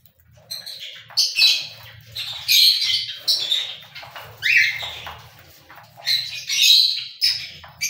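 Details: Cockatiel squawking repeatedly: a string of harsh, buzzy calls roughly every half second to second, some with a short whistled rising element, over a low humming background.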